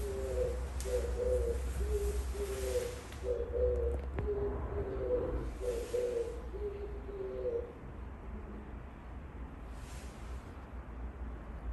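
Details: Outside a window, an Oriental turtle dove sings a string of low, throaty cooing phrases for about seven seconds, then falls quiet, leaving a steady low background rumble.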